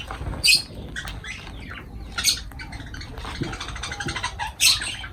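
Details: Shrill, grating lovebird squawks while the birds feed, sharp single bursts spaced a second or two apart, with softer chattering between them.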